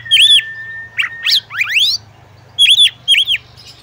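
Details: Oriental magpie-robin female calling the male so he will sing. A loud, arched, whistled note opens, then a flat whistle, then rapid upward-sweeping slurs, and finally two more arched notes in a pair.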